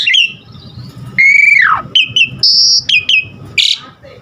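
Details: Song of an Asian pied starling for training other starlings to sing: a long downward-slurring whistle followed by short clipped notes and a high, steady, shrill tone, then a brief harsh burst.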